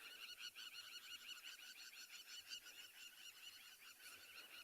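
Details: Crowned lapwings nesting in open ground in a South African game reserve go wild as lionesses stalk on an afternoon of 20 June 2020. Several birds overlap in a frantic chorus of shrill, strident notes, about one and a half calls per second.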